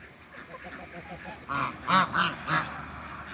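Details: Four loud, rounded honks in quick succession come from backyard Toulouse and African geese kept to produce a new hybrid, with softer murmured calls before them.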